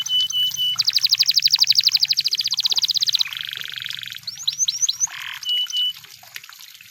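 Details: Canary singing, described as in the wild: a long, fast, buzzy trill of evenly spaced notes, then a lower rolling trill, a few short rising whistles and steady high whistled notes, over a faint low hum.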